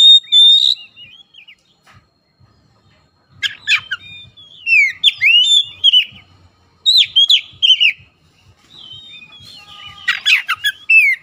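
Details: Oriental magpie-robin singing as a lure for quiet, lethargic magpie-robins: a long pure whistle opens, then rapid clusters of falling, curling whistles and harsh, rasping notes come in irregular bursts.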